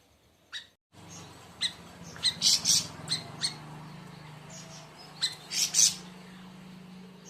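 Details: Siri siri raja delivering clustered scratchy high chirps and bursts in two bouts, over a constant low electrical hum.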